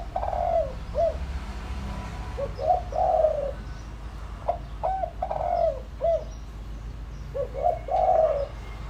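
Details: Lure spotted dove calling to attract wild doves: three clusters of hollow coos, each a quick note or two leading into a fuller drawn-out coo, with occasional clicks.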